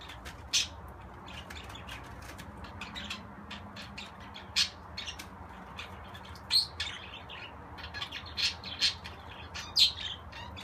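A budgerigar gives rapid, scratchy chirps and twitters, broken by a few louder, sharper squawks.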